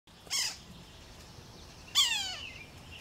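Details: Male Yellow-bellied Sapsucker near its nest while feeding young, 19 June 2018, west of Moose Jaw, south-central Saskatchewan, giving two nasal, cat-like calls that slur downward, spaced about one and a half seconds apart, over a quiet background.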